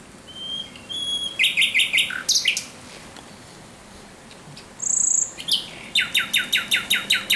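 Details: Thrush nightingale singing at night, 17 May 2023: clear whistles lead into series of loud, evenly repeated dry chock notes, a bright trilled note midway, then another long run of rhythmic strokes.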